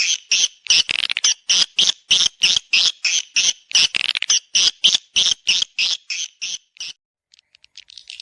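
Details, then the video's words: Lure sound to bring swiftlets to nest and mate: strong, evenly spaced rasping chirps about three per second, stopping abruptly near the end with only faint ticks after. "SUARA PANGGIL BURUNG WALET MENGAWAN ASLI / HOW TO CALL SWIFT BIRDS"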